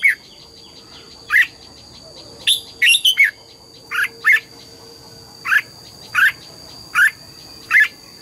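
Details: Red-whiskered bulbul in morning song, forest double-note style: about ten crisp whistled notes, a quick four-note run near three seconds, then evenly spaced single whistles, over a steady faint whine and low hum.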